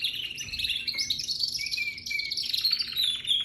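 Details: Young canary singing a continuous, high, twittering warble with quick rising and falling notes and short trills, sustained throughout without breaks.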